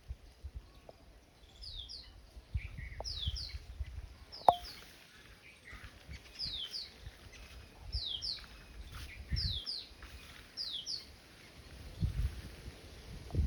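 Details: A Black drongo perched on a coconut tree gives sharp, high double notes that drop in pitch, repeated about every second and a half, over a low rumble of wind.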